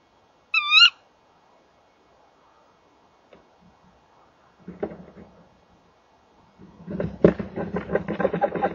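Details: Evening at a nest box where a male and female Tawny owl call together: one loud, abrupt, rising call at the start, followed by quiet, then growing rustling and scraping from movement inside the box.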